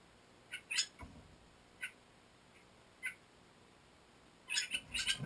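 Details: A captive young Bali myna (Bali starling) chick, 25 days old and about to fledge, on 28 June 2014, gives harsh, scratchy squawks about a second apart, then a quick ragged burst at the end; a soft thump early on.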